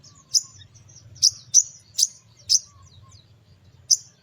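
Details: Sogon pastol in morning song used as a lure for small birds: six sharp, very high, clipped chips, mostly spaced about half a second apart with a longer pause before the last, over a faint low hum.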